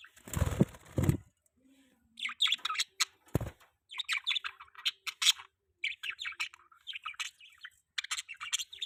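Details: Budgerigar chirping: a low thump at the start, then bursts of quick high twittering chirps in short phrases separated by brief gaps, with a faint low hum.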